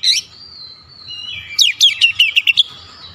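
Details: Oriental magpie-robin in shooting song display, aggressive: a high whistle and long thin note, then a quick salvo of about six sharp, loud staccato notes.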